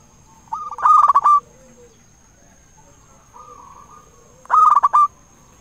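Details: Big-voiced local zebra dove singing as a lure for other doves; two loud, rattling coo phrases about four seconds apart, with a softer drawn-out coo from another dove between them.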